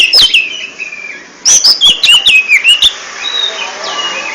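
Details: Oriental magpie-robin, a caged bird kept for song contests, gives ngentrok-style song: high whistled slurs falling and rising, then a quick run of loud chopped notes, fading to soft whistles.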